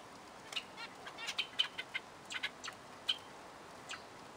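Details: Zebra finches producing a quick cluster of nasal, trumpet-like beeps and clicks, then a few isolated calls as the bout fades.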